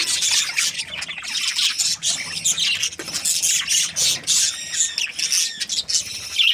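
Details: Budgerigars in breeding season, several birds chirping together: dense, continuous high chatter of squawks, rapid tweets and short whistled notes with brief pauses, busy and overlapping throughout.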